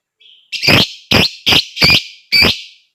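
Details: Lovebird whose ngekek and gacor singing is meant to set other birds off: five loud, rasping squawks about half a second apart after a faint thin note, in a quiet setting.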